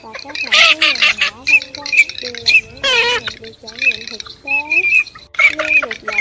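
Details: Garganey calls as a run of nasal, squawking notes that rise and fall, repeated in quick bursts with short pauses, a recording used to lure migrating birds into night nets, August 2023.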